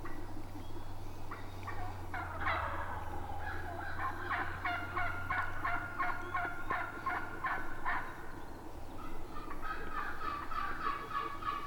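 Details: A wild tom turkey with hens, on a spring youth hunting weekend in Virginia woods, gobbles in a rapid, rattling burst of gulping notes that falls away, with a steady low hum underneath.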